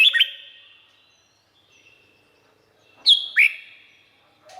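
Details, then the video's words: Red-whiskered bulbul from Thailand giving two short, clear whistled phrases of quick swooping notes with a ringing, echoing tail, separated by about three seconds of near silence. "เสียงนกกรงหัวจุก สำหรับต่อ หรือ เปิดให้นกคึก เสียงเพราะๆ"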